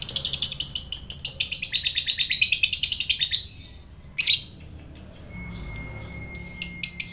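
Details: Pet fighter lovebird in Indonesia, recorded to provoke other lovebirds: a long run of rapid, buzzy, high chattering notes for about three seconds, then sparse sharp squeaks with a thin steady whistle-like tone in the background.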